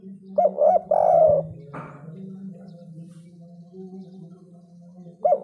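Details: Spotted dove delivering 'kuk 3' style cooing. A loud run of arched coos opens, one drawn-out note sliding down, then a long stretch of low hum before another coo at the very end.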